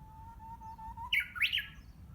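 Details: Japanese bush warbler, unseen in greenery behind a home around June, practising its song: a long steady whistle that rises slightly, then a quick burst of loud warbled notes jumping up and down.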